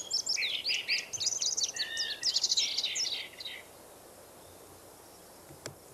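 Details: In a forest, an Indigo bunting delivers a quick, varied song of high chirps and slurred notes lasting about three and a half seconds, followed by soft background hiss and one sharp click.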